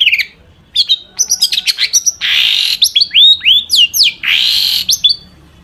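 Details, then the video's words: Long-tailed shrike in full, active song packed with imitated phrases, used as a lure to make other shrikes sing; dense, high, varied run of sharp chips, rising whistles and buzzy bursts overlapping almost without pause. "cendet gacor FULL ISIAN buat PANCINGAN CENDET AGAR BUNYI"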